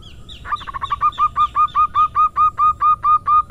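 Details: Local female zebra dove (perkutut) gives irama manja style song as a lure: a soft rising lead-in, then a steady train of about a dozen evenly spaced, hollow, staccato coo notes, roughly two per second.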